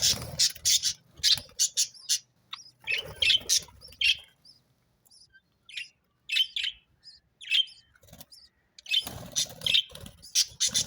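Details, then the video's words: A flock of sparrows chatters in loud bursts of rapid chirps, falls to a quieter spell of isolated high chirps midway, then resumes dense overlapping chirping. "sparrows chirping sound beautiful birds voice"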